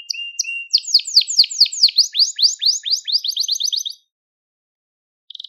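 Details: Crested Gloster canary song meant for training young canaries: a low held whistle, then a series of loud sweeping downslurred notes speeding into a quick trill, followed by silence and a brief buzzy burst.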